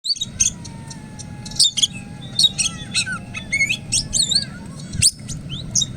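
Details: Oriental magpie-robin, wild-caught in forest and now tame, sings a lively run of clear whistles, sliding notes and short chirps at a fast pace, with brief pauses, over a steady low hum.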